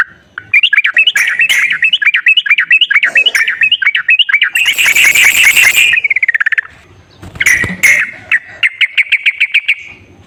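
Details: Sooty-headed bulbul song used to lure a quiet bird into singing: a rapid series of rising and falling whistled notes, a harsh chattering burst, then another quick run of repeated notes.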